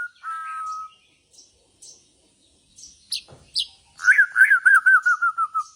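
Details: White-rumped shama of the Borneo type, bowing song style: a steady pure whistle, then scattered sharp high chips and clicks, ending in a fast descending run of repeated looping notes that quickly fade.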